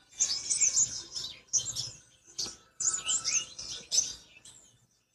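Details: Black-winged flycatcher-shrike singing in its natural voice: bursts of very high, thin twittering chirps and short trills, each burst about a second long with brief pauses between.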